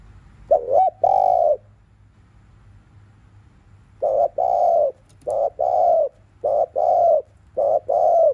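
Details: Spotted dove cooing in the afternoon, kept bird: low soft hooting notes in short groups, a double note then a pause, followed by paired and single coos repeated about once a second; steady low hum underneath.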